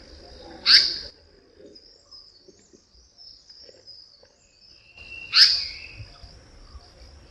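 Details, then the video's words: Harsh, screechy call of an Indian Paradise Flycatcher, a call both sexes give, found in bamboo forest; two sharp grating bursts nearly five seconds apart over a constant thin high insect drone. "पण याचा आवाज निश्चितच गोड नाही, उलट चिरकाच आहे."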